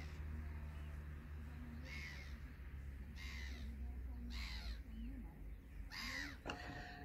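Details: Mediterranean gull with jet-black head calling in a Black-headed gull colony at Groene Jonker, Zuid-Holland, Netherlands: four nasal, rising-and-falling calls about a second apart, over a steady low rumble of wind and a man's voice.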